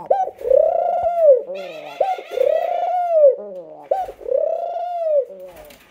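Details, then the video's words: Pet dove indoors gives three long, low, rolling coos, each swelling and fading over about a second and a half, with a quieter bird chirping faintly alongside. "All my lovely doves in one video"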